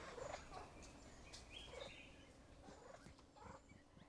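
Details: At a hide in Thailand's Kaeng Krachan National Park, a male grey peacock-pheasant courts a female, giving soft low rapid clucks in short bursts, fading toward the end, amid distant bird chirps and forest hum.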